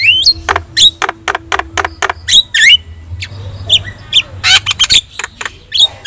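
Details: Javan myna, a yellow-eyed bird in full song, used as a tutor recording for other songbirds: loud harsh rasping bursts alternate with sharp rising whistles and clicks in quick, irregular succession, with a low steady hum underneath.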